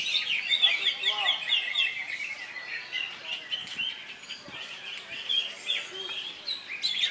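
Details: Cucak hijau (leafbird) just out of molt, competing at the Latpres Utama Delta Kencana Indonesia songbird contest on Saturday 3 September, where it won twice; rapid high chattering and twittering phrases, dense and continuous, with other contest birds around.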